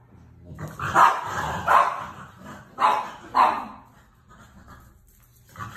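Umbrella cockatoo giving four loud, harsh, rasping squawks in under three seconds, two close pairs, then quiet room noise.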